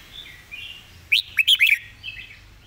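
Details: A red-whiskered bulbul sings a fast, repetitive master song: a tight phrase of four clear whistled notes with sharp rising and falling sweeps, framed by quieter warbling notes before and after.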